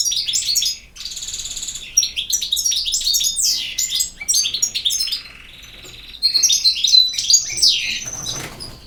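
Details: Long, continuous song from a European goldfinch: dense rapid twittering, liquid chirps, whistled slurs and a brief buzzy trill, with only short breaks between phrases.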